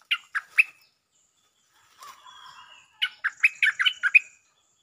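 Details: Bulbul singing as a lure bird. A short burst of three slurred chirps, then a soft faint warble, then a longer run of quick bubbling notes. The recording is otherwise clean.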